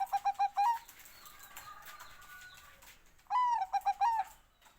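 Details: Zebra dove of the Bangkok strain giving two song phrases, each a run of short evenly spaced cooing notes ending in a falling slurred coo, with faint background murmur between.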